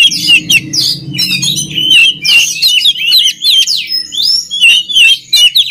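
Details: Song of an oriental magpie-robin, played to train other magpie-robins: clear whistled phrases mixed with harsh squawky notes and quick downward sweeps, separated by short pauses, over a soft low rumble early on.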